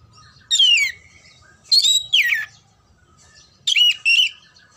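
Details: Oriental magpie-robin (kacer) song played to ready birds for singing competitions: separated phrases of descending whistles and buzzy, chattering notes, given singly and in pairs, with a faint steady hum behind.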